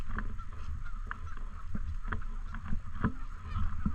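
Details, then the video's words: Canada geese honk repeatedly beside a lake in a park, with a few strong nasal calls at intervals, mixed with thumps and clicks of handling noise over a low rumble. "Canadian Geese Honking In And Around The Lake"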